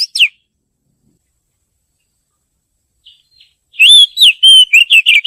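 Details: Female Oriental magpie-robin calling to the male: a brief downslurred whistle, a long quiet gap, then a dense burst of flat and falling whistled notes.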